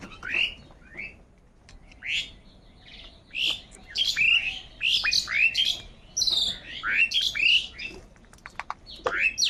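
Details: Many crows crowing in the morning while squabbling over food, a dense mix of harsh, upslurred caws from several birds overlapping in quick bursts, with short quieter gaps between outbreaks.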